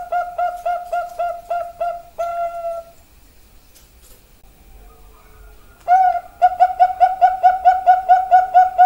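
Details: Bangkok-type zebra dove (perkutut) cooing in quick staccato runs of clipped, hollow notes. The series breaks off for about three seconds of near-quiet with faint clicks, then resumes with a drawn note and another brisk run.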